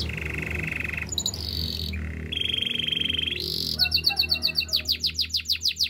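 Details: Canary song used for training: steady buzzy trills and sustained tones change into rapid repeated whistled notes that sweep downward.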